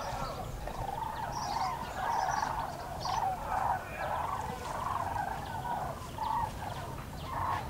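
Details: A flock of common cranes passing over the Eifel, Germany, 6 March 2018: loud, rolling trumpet calls in overlapping waves, swelling and fading every second or so, above light background hiss.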